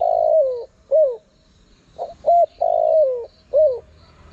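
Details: Spotted dove call for attracting wild birds. Two rounded, mellow phrases each end with a long downward-sliding coo and a short falling note. Soft preliminary notes come in between.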